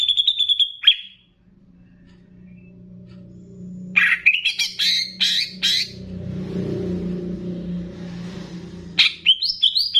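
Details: Greater green leafbird of the Banyuwangi type in a training mix with bebeci-style phrases, meant to raise a leafbird's emotion: a steady high whistle, then a rapid burst of sharp chirped notes, a low hum and hiss, and more chirps at the end.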